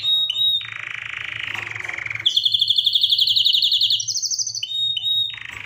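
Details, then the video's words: Canary song made of sustained rolling trills: a lower warbling tour, then a bright, fast, high rattling trill for nearly two seconds, followed by short clipped phrases and a final mid-pitched roll. "أجمل صوت تغريد كناري"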